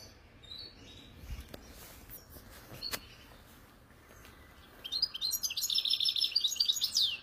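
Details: Wild-caught European goldfinch from bird keeping in Algeria. Nearly five seconds of quiet with a few faint ticks, then a bright burst of high, rapid, tinkling trills and twitters that runs to the end.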